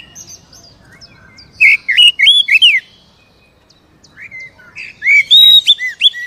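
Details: Lure song of an Oriental magpie-robin intended to make a caged bird sing sooner: two loud phrases of swooping, curling whistles and high chips, separated by over a second of quiet, with soft whistles before.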